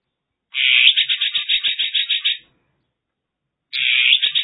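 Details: Mongolian lark in China singing a rapid, buzzy run of pulsed notes repeated about six times a second for two seconds, a pause, then a similar harsh phrase starting up again; no other sounds.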